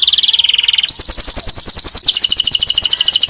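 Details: Canary training song for other canaries: a fast rolling trill that jumps up into a higher, very rapid trill, continuing steadily.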